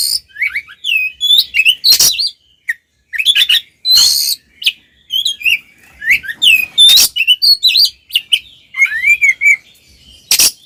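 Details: Oriental magpie-robin singing a provoking kacer fight song: a varied medley of fluting whistles, looping slurs, crisp chips and occasional harsh hissing bursts, delivered in quick irregular phrases.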